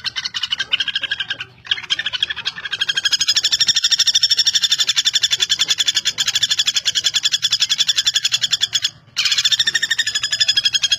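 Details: A long, even rattle from a common goldenback, its quick harsh notes pouring out steadily for several seconds. It halts briefly twice, then starts again.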